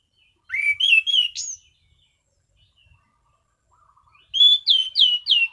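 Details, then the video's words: Orange-sided thrush kept as a songbird, singing a calm, clear "ngeplong" song: a phrase of four rising and falling whistles, a pause, then four repeated downslurred whistles delivered rapidly. "Burung Anis Cendana Ngeplong Santai"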